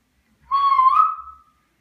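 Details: Pet African grey parrot whistling: one clear, steady tonal whistle lasting about a second, holding level with a slight wavering rise near the end, with faint overtones above, in an otherwise quiet room.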